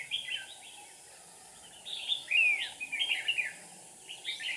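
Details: Decoy red-whiskered bulbul at a trapping site on 7 April 2019, giving a brief phrase, a pause, then a longer burst of quick, bubbly notes with sweeping whistles, against constant hiss.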